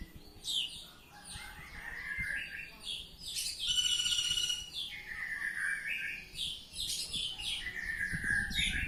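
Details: Oriental magpie-robin delivering ngeplong song, mixing harsh scratchy notes, sliding whistles and a fast ringing trill in the middle, growing louder toward a dense finish; faint low noise underneath.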